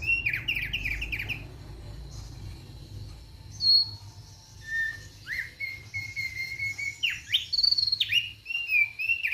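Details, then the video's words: Thick-billed white-eye song, possibly from a kept bird: a jumble of quick high chirps, then long steady whistles and sharp downslurred sweeps, with a constant low rumble underneath. "KICAUAN SANTAI OPIOR PARUH TEBAL"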